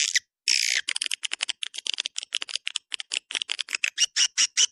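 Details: Swiftlet luring call, 'Dua Bidadari' style: an opening rasping buzz gives way to a long series of quick clicking chirps that grow more regular and ringing toward the end.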